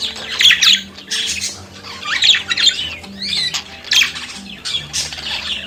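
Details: Warbling budgerigar chatter: raspy, squeaky phrases with some wavering whistled slurs, coming in uneven bursts with a few brief lulls, over a faint low hum.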